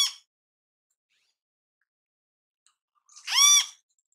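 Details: Great kiskadee in natural habitat: a loud, harsh, nasal note with a rising-then-falling shape after a long silence, with the tail of an earlier note at the very start.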